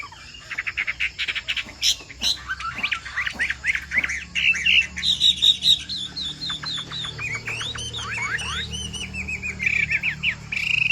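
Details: A 'bộ tam hoàng' Chinese hwamei sings a busy, rain-like stream of short whistled notes. Sharp clicks give way to rolling, down-slurred phrases and a few longer bright whistles near the end.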